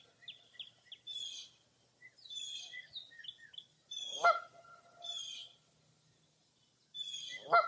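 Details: Foggy early April morning at Mirror Lake State Park, Wisconsin: soft chirps and hoarse rasping notes, with two loud honks about three and a half seconds apart.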